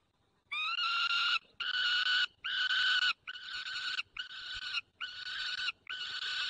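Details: At a Barycz Valley nest with one own and three adopted young, a White stork calls to an adopted chick on 9 June 2020, 10:54. Seven long, steady, harmonic nasal calls come almost back to back over six seconds.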